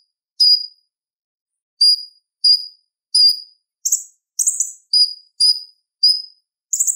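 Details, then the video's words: Purple-throated sunbird (konin) song for tutoring other cage birds: clear high whistled notes given singly with gaps, then quicker buzzy high bursts mixed in toward the end. "Suara Ocehan Konin Gacor Tajam Ampuh Buat Masteran Kolibri Ninja | Purple-throated sunbird"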